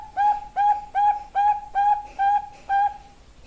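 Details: Calling female Bangkok zebra dove, used as a lure for males: a steady series of seven short, ringing coos at a fast, regular pace, each note slightly dipping at its end.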